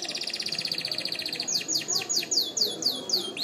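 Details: Canary singing, used for training and to excite hens for mating: a rapid even trill at about four notes a second, then loud sweeping downslurred whistles repeated in a regular rhythm, with background hiss.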